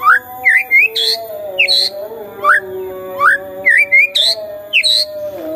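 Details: White-rumped shama singing in the morning to provoke a silent shama. Clear whistled notes, rising slurs and short high chips in quick, varied phrases over steady low humming tones that run throughout.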